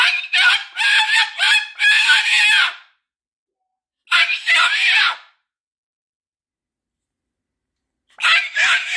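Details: Moluccan cockatoo screaming in harsh, raspy bursts: a run of several rapid screams over nearly three seconds, a shorter outburst after a pause, then another burst starting near the end.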